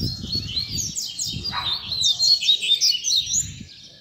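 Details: Double-collared seedeater (coleiro) tutor song for teaching young birds to learn, played to warm up and fire up captive birds; high, rapid chattering and whistled notes with quick slurred sweeps, over low rumbling background noise.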